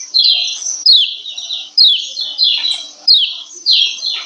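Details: Female lemon-bellied white-eye's 'ciak ciak' arousal call for males: clean bursts of high, sliding chirps roughly every 0.6 to 0.9 seconds, with little else audible.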